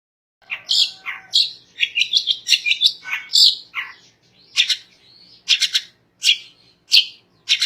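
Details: Long-tailed shrike song meant to stir other shrikes into singing, a jumble of harsh churring notes, squeaky whistles and scratchy chatter in quick succession, then separate sharp notes spaced about a second apart.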